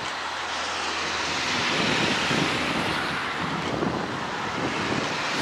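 Steady roar of a propeller aircraft engine fills the whole recording, with no animal sounds heard.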